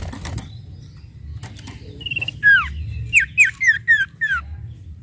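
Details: Sooty-headed bulbul, a bird used to provoke other birds into singing: a run of loud, clear whistled notes, each sliding down steeply, five or six repeated quickly, after a short rising whistle, with soft clicks and taps beforehand.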